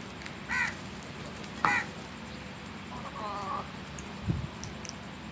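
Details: A crow gives two harsh caws a second apart, followed by a softer, wavering call and a dull thump, over constant low background noise.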